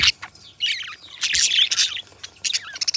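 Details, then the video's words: Pair of companion pet budgerigars singing: bursts of warbled chirps and gritty chattering, a short pause after the opening note, then tumbling squeaks and clicks, ending in sharp rapid ticks. "Budgie Sounds: Birds Singing You to Sleep"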